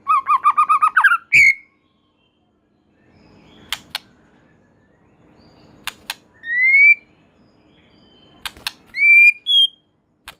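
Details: Murai batu, the white-rumped shama, singing in a lively mood meant to prompt other shamas to join in: a rapid series of about eight rising whistles opens, then spaced single slurred whistles between sharp clicking taps and long silences.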